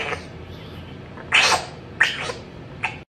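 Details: A pet African grey parrot, apparently asking for a kiss, gives three short, breathy, smacking bursts about half a second apart, like imitated kisses, over a quiet room hum.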